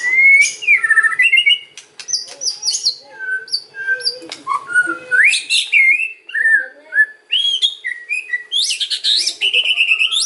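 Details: White-rumped shama singing in kretekan and ocean style, used to lure other shamas into answering: rich loud whistles sliding up and down, mixed with sharp clicks and rattles, ending in high rising notes.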